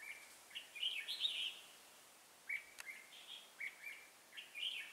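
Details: Trapping decoy red-whiskered bulbul in fighting song, delivering clear whistled and warbled notes in short bursts about every half second to second, with a single sharp click midway.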